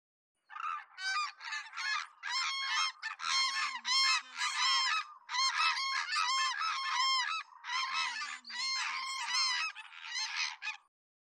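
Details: A hooded crane pair duets in loud, ringing bugles, two voices overlapping in rapid bursts for about ten seconds, with a few softer low notes underneath. Finding: Hooded crane.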